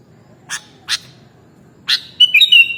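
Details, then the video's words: Sooty-headed bulbul (kutilang) in an original mastering recording: three sharp clicks, then a short run of clear, bubbly whistled notes near the end over a quiet, low background hum. "Mastering Burung Kutilang Original"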